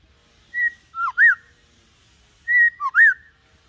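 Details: White-rumped shama song used as a lure to teach young birds to sing, from a calm adult bird: two matching clear whistled phrases, each a level note, a dipping note and a rising-falling slur, two seconds apart, in silence.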